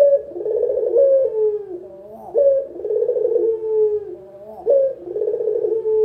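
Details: Low rolling coos of a local puter spotted dove, a lure sound for trainee birds: three phrases, each opening with a brief upward note then a vibrating sustained hum, spaced a little over two seconds apart.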